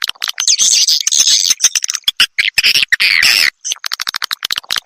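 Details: Edible-nest swiftlet sounds played to attract swiftlets to bird houses: tangled high chattering twitters and buzzy trills in overlapping bursts with brief gaps.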